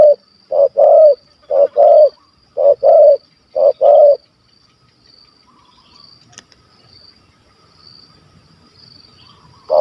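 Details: Spotted dove with a big voice, Malaysia, a wild target of hunters, calling 'kuk 1 2'. Four loud paired notes, a short coo and then a longer one, about one per second. Quiet follows, with a single click.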